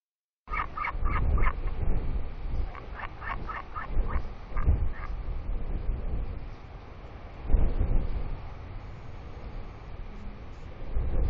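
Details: Royal albatross father returning to the nest to preen and feed his big, fluffy chick, making unusual sounds while regurgitating squid paste, recorded in heavy wind; a quick series of nasal, harmonic pulses, then strong gusting wind noise.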